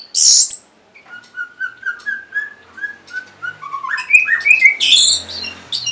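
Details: Orange-headed thrush singing to stimulate caged birds that will not sing, opening with a loud high burst, followed by a steady series of short mid-pitched whistled notes that rise into harsher, louder chattering.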